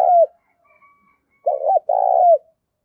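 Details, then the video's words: Spotted dove kept as a decoy, calling to lure and train birds: a falling coo, a pause, then a short rolling coo followed by a longer burred coo that ends with a downward slur. "Tiếng Chim Cu Mồi THÚC Và GÁY GỌI"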